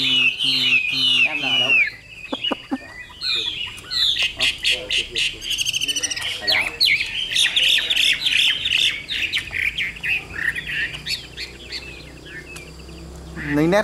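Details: Caged Chinese hwamei with yellow beak and celebrated voice pouring out a long, varied song of fast trills, slurred whistles and harsh squawk-like bursts, broken by rapid clicking pulses and short pauses.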